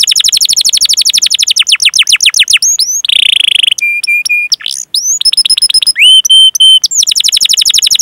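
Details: Canary delivering varied rolling song meant to coax young or silent canaries into singing: quick descending trills, a harsh buzzy burst, flat whistled tones, rising sweeps and a final fast trill.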